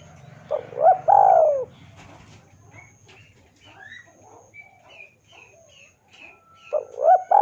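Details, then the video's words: Spotted dove calling a rival as a lure: a loud coo phrase of short notes and a long falling coo at the start, soft chirps from small birds in between, then the phrase begins again. "PANCINGAN SUARA BURUNG TEKUKUR DERKUKU MEMANGGIL LAWAN IKUTAN BUNYI"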